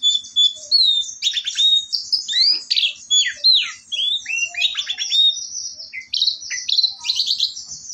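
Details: Orange-headed thrush in full, lively song: a fast medley of high whistled notes, sharp downslurs and buzzy trills, phrases tumbling with brief pauses, no other sounds heard.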